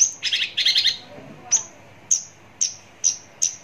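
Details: ['Javan bush lark heard up close: two quick buzzy chattering bursts, then a series of single sharp, high whistled notes spaced about half a second apart.']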